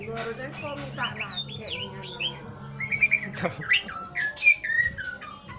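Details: White-rumped shama singing in the morning. Varied whistled phrases, sliding up and down with sharp clear notes, over a steady low musical drone.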